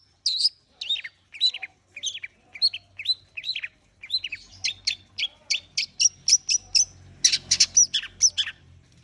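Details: Warming-up long-tailed shrike: a series of downward-slurred whistles repeated about every half second, shifting into quicker high ticking and harsh chattering notes, with a low hum in the background.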